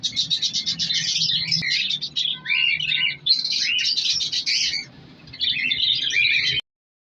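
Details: Breeding colony of colour lovebirds kept in an aviary, nesting in clay pots during winter, Fisher's and lutino among them. Rapid high twittering and harsh squeaks pour out almost continuously, with a faint steady tone underneath, then end abruptly.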